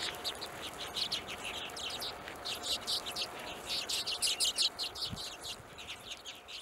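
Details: A Hornemann's Arctic redpoll in Greenland in 2017 gives quick, dry, high chattering calls, several per second in uneven bursts, over a steady low hum.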